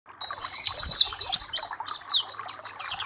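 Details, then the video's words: Papua black-capped white-eye song used as a tutor recording and for training other birds: rapid high thin chirps and twittering notes in bursts, with a softer busy chatter beneath. "Masteran dan terapi pleci Papua black cappe !!!"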